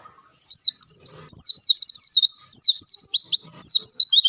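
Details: Masteran recording of a long-tailed shrike revealing its 'isian' repertoire: after a short silence, rapid high chattering bursts of sliding, zigzag whistles run continuously, with soft low clicks in the background.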